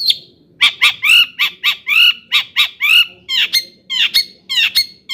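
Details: Long-tailed shrike giving harsh, grating notes in an uneven series, some with a nasal ringing quality and others more scratchy, used as a recording to provoke shrikes into excitement.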